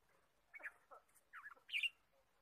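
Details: Red-whiskered bulbul in a forest during bird trapping, recorded 23 March 2017: a short run of four or five quick chirped notes, rising and falling, the last one loudest and sharpest, over a quiet background.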